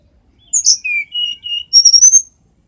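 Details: Mountain tledekan recorded as a lure for captive birds to sing openly (ngeplong): clean high whistled notes, first a slurred upward phrase, then steady flat whistles, ending in a quick run of bright repeated high notes; background silent.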